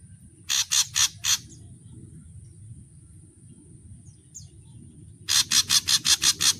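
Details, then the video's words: Ashy drongo, called saeran abu locally, giving its varied song: four grating notes in quick succession, a pause with faint chips, then a second run of eight harsh buzzy notes. "suara variasi srigunting abu abu"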